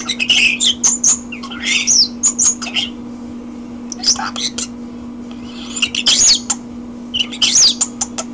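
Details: Hand-held pet common starling singing indoors: rapid clicks, squeaky rising and falling whistles and rasping chatter in bursts with short pauses, while a steady low hum runs throughout.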